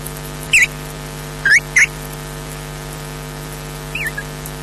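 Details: Osprey chicks at Loch Garten give four thin, high chirps, each bending up then down, spaced irregularly over a few seconds against a steady low electrical hum.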